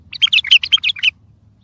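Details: Powerful bulbul song played to lure other bulbuls for trapping: a single short phrase of about eight quick, clear, warbled notes.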